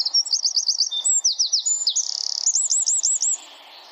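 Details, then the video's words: Tightly packed wren song in the 'tembakan' rapid-fire style used to train songbirds: high looped trills, quick slurred whistles and a buzzy rattle follow each other without pause for nearly four seconds before fading. "Masteran Burung Suara Tembakan Wren Bird Suara Bren Tembakan Rapat Burung Kecil"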